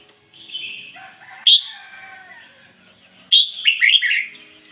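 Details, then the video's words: Red-whiskered bulbul kept as a decoy bird, singing in the ngoi bổi style: short bright whistled phrases, a sustained wavering tone, then a quick burst of rising and falling whistles, with quiet pauses between. "chim chào mào mồi hót ngoi bổi giọng chuẩn"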